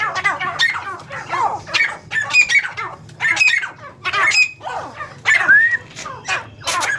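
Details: Several captive francolins calling at home: bursts of harsh, rasping squawks about once a second, some ending in a clear upward-slurred whistle, with faint clicks between them.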